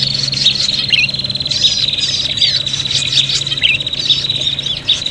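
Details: Noisy fighting prinia calls for bird luring: an unbroken high metallic trill with scattered sharp squeaks and wavering notes layered over it, and a low steady hum behind.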